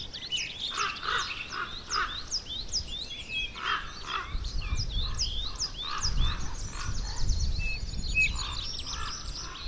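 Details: Young common ravens in the Côtes d'Armor, France, giving hoarse, harsh calls in short bursts, repeated in runs of three to four, under a busy chorus of high chirping songbirds and low rumbling background noise.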